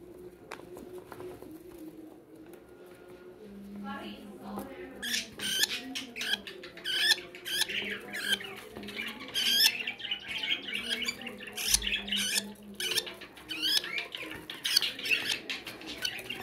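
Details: Hand-tame budgerigars that will not leave a person's hands chatter in quick, scratchy chirps and squeaks while a person talks in the background.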